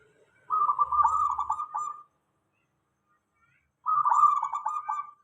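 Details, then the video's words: Zebra dove of local stock singing, used as a lure for other doves: two rolling, stuttered coo phrases about one and a half seconds each, separated by a pause, with a faint low hum under the first. "Suara perkutut lokal.dijamin semua perkutut langsung nyaut ramai"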